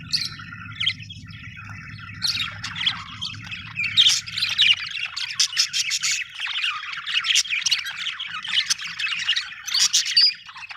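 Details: Several budgies keep up busy chirping: overlapping high twitters, buzzy warbles and sharp squeaks with no pause, while a low background hum fades out midway.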